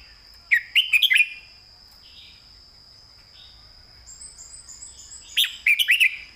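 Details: Caged red-whiskered bulbul giving two crisp phrases of quick, slurred whistled notes separated by a quiet stretch; a steady high electronic tone runs through the background, with faint chirping from other small birds.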